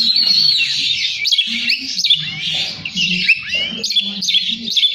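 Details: Oriental magpie-robin in full tretes song packed with mimicked phrases: dense, fast, high warbling with sliding whistles and sharp notes, non-stop for five seconds, with a low background hum.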